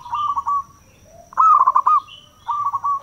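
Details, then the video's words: Zebra dove, a local bird, singing in a lure recording meant to make doves answer: rolling trilled coo phrases, then a louder run of fast stuttering notes, and another trill starting at the end. "Perkutut lokal gacor suara bagus - pancingan perkutut paling jitu"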